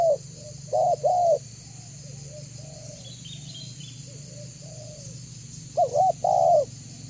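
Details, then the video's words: Spotted dove, kept as a lure for other doves, giving loud paired coos at start and end, softer distant coos between, over a steady low hum. "Suara Burung Tekukur BANGGO Gacor Membuat Terkukur Lain Auto BUNYI Dan MENDEKAT !!!"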